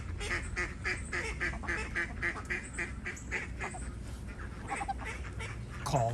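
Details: Call ducks, a domestic breed originally bred as live decoys to call in wild ducks, quack in a loud, harsh, rapid run of nearly four quacks a second while free-ranging in the morning, over a low background rumble and a person speaking.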